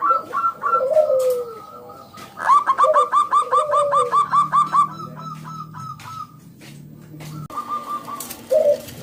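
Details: Actively singing local zebra dove, used to get other doves calling. Soft descending coos, then a burst of rapid staccato notes, then more coos. A low steady hum runs underneath partway through.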